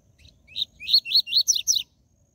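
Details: Rusty-collared seedeater singing a 'tui tui zel zel' phrase meant to excite caged birds: a soft lead-in, then five clear chirping notes evenly spaced, the last pair higher with falling sweeps, in a quiet setting.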